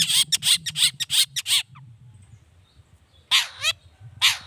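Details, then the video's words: Long-tailed shrike calling harshly to provoke other shrikes into answering; a quick run of rasping, scolding notes, a pause with low rumble, then a few more harsh notes. "Suara Cendet Gacor Pagi Siang Sore Biangnya Bikin Cendet Manapun Nyaut Emosi Ikutan Bunyi"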